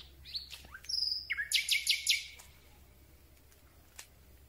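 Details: Common Nightingale singing in darkness, recorded from very close: quick upslurred whistles, then a loud run of four or five evenly spaced repeated notes, followed by a single faint click.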